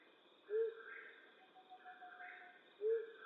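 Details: Nighttime flammulated owl hooting in western North America: a pair of deep, clipped hoots spaced a little over two seconds apart, set against a soft throbbing background chorus.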